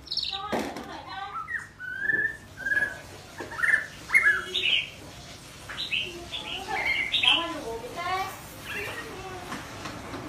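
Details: Young white-rumped shama practising its song: a string of soft, varied whistles, slurred notes and short trills, uneven and halting, over a steady low hum.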